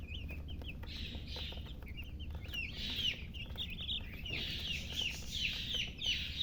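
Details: Chicken chicks peeping in a steady stream of high, short, slurred chirps about three per second, some overlapping into a busier chorus, with a low rumbling hum underneath.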